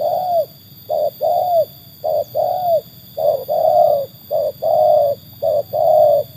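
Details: Trained tekukur answering wild doves with a long run of cooing, about six short-then-long coo pairs delivered at a brisk, fairly regular pace.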